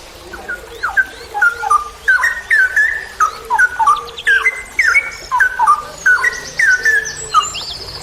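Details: Cucak rowo, the straw-headed bulbul, singing 'ropel panjang' in a training recording for songbird keepers: continuous fast chains of bright, bubbling whistled notes rising and falling, with faint high buzzy trills from other birds in the background.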